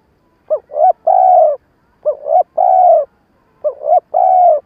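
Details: Stuttering coo from a decoy spotted dove meant to stir up wild doves. Three phrases, each two quick rising hoots running into a long, level coo, repeated about every one and a half seconds in silence.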